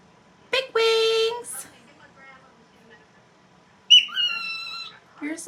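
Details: Talking pet cockatiel, apparently saying "big wings": a sharp onset into a long, flat, rich-toned note, then near silence, then a high phrase that drops in pitch and tails off, with a new burst starting at the end.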